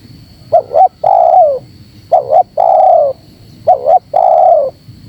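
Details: Spotted dove lure call used to draw birds together: three phrases, each two short quick rising notes followed by a long, falling coo. A faint steady high-pitched whine runs behind.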